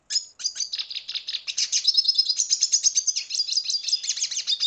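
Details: Venezuelan red siskin in a sustained, rapid, chattering song of high twittering and buzzy notes running almost unbroken for several seconds.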